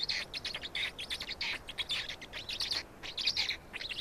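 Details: Estonian black storks at the nest, feeding, 16.05.2019 at 16:58: harsh, shrill chirps in fast uneven bursts, several per second, loud and insistent.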